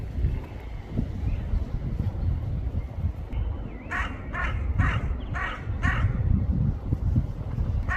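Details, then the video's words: A crow (rawan) gives a quick run of about six harsh, hoarse caws, roughly two per second, over a steady low rumble of wind. "rawan sound #rawan #rawan calling sound #crow bird crowing sounds"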